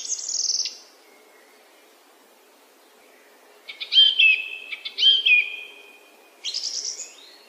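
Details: Song thrush song: a high scratchy note, a pause, then two loud repeated whistled phrases with twisting inflections, ending with a rasping high flourish after a short gap.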